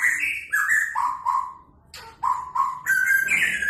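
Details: White-rumped shama singing: clear whistled phrases of gliding notes around mid pitch, some rising and some falling, delivered in short bursts with brief pauses between them.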